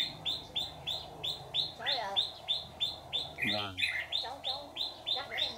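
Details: Trap decoy red-whiskered bulbul, white-cheeked type, sings a rhythmic string of short arched notes about three per second. Two brief bursts of human speech interrupt.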